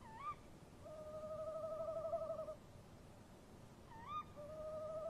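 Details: Male and female tawny owl calling to each other at a nest box at 03:07 on 23 March 2015. A sharp rising call leads into a long wavering, quavering hoot lasting about two seconds, then the rising call comes again and another quavering hoot begins.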